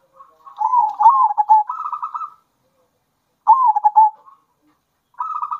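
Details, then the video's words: A zebra dove of the local Indonesian type gives bekur and kerot song, a lure to provoke other doves and stir breeding urge; a long rolling coo phrase, then a shorter slurred one, then another pulsed burst. "Kombinasi Suara Perkutut Lokal Gacor Bikin Perkutut Emosi"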